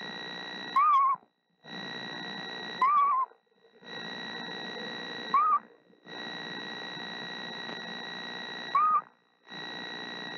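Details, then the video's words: A female screech owl incubating eggs around March 28 sings softly to her unhatched owlets, which may hatch that night. She gives short, wavering whistled notes about every two seconds over electrical hiss and hum. "Mother Screech Owl Sings To Her Eggs"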